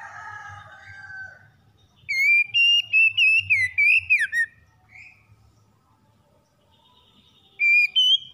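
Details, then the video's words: Oriental magpie-robin morning song: a burst of loud, clear whistled notes with sliding, warbling inflections, repeated rapidly for about two and a half seconds, a short pause, then a brief whistled phrase near the end over a faint low hum. "PEMULIHAN KACER SETRES DENGAN KICAUN PAGI CEPAT GACOR"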